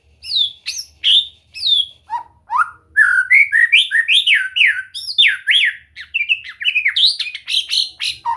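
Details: White-rumped shama song meant to coax a bird into singing: loud, sweeping whistled notes rising and falling, building into a fast, varied stream of looping phrases with sharp high accents.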